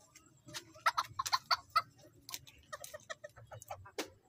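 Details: Serama and kate bantam chickens raised in a small space give short, sharp clucks in quick irregular bursts, with fainter clucking around them.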